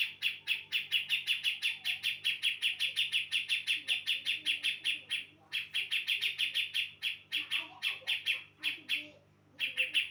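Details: Lure recording of a female brown-cheeked bulbul from Java calling in males: long runs of rapid, bright, repeated chips, about four a second, broken by short pauses, with faint soft twittering beneath.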